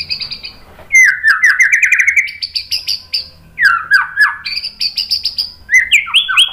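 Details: White-rumped shama song used as training and provoking material for other shamas: a long run of rapid buzzy notes, each sliding downward, with loud clear whistles between them and high sharp overtones above. Background is quiet.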